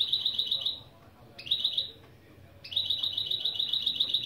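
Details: Mule hybrid of European goldfinch and canary giving opening song phrases: fast, even, high chattering trills in three bursts, the last long and sustained, over faint low background noise.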